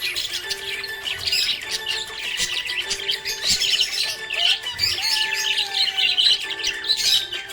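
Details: A happy budgie chatters nonstop in fast, scratchy high-pitched twittering bursts that swell and fade. Music plays underneath with held tones and a gliding note near the middle.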